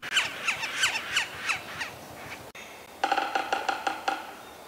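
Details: Yellow-bellied Sapsucker: half a dozen squeaky, down-slurred mewing calls, then drumming of about eight sharp wooden taps, quick at first and slowing unevenly, as given on a dead snag.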